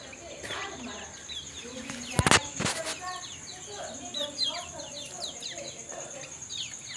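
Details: Very tame lemon-bellied white-eye outside its cage: a run of quick, thin, downward-slurred chirps, with two loud knocks near the middle, a steady high whine throughout, and a faint voice.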